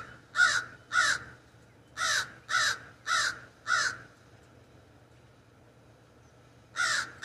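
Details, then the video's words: Common raven perched in an ash tree in a backyard, filmed from a sunroom window: two harsh caws, a run of four evenly spaced hoarse caws, a pause of a few seconds, then one more caw. "The Distinct Call of the Raven"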